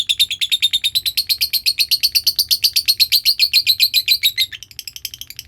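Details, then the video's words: Lovebird giving a long ngekek trill, used as a lure sound for training other lovebirds: a rapid, even stream of high chattering notes, about four per second, pitch edging slightly upward, lasting over four seconds before stopping. "Belajar ngekek panjang,suara pancingan love bird ngekek"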